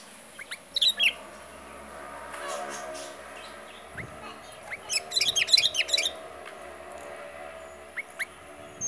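A sooty-headed bulbul gives bright, bubbly whistled phrases in short bursts, with a quick cluster of rising chirps midway and a steady high hiss behind.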